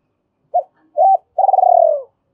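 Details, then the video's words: Spotted dove used as a trapping decoy, cooing to call in others: a short note, a held coo, then a long rolling, throbbing coo that slowly slides downward. Quiet background. "Tiếng chim cu gáy mồi gáy gọi hai hậu"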